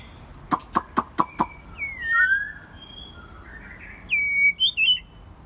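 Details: A kept first-molt white-rumped shama on a quiet evening gives five quick sharp clicks, then rich, slurred rising and falling whistles, ending in higher fluty notes.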